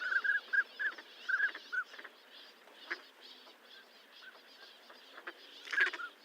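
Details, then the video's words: Northern pintail giving about eight short whistles in quick pairs and singles, then a pause filled with soft flock murmur. A louder burst of whistled notes comes near the end. "SOUND OF A NORTHERN PINTAIL"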